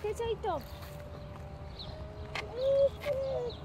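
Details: Cranes of a large migrating flock flying over near a house: several rolling, harmonic trumpeting calls, a short falling one early and a longer sustained one later, with a person talking in the background.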